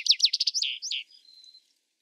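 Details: Vesper sparrow song fragment: a fast run of high, sharply slurred notes, then a few buzzy descending phrases that fade out with a thin, faint trill. No other sounds.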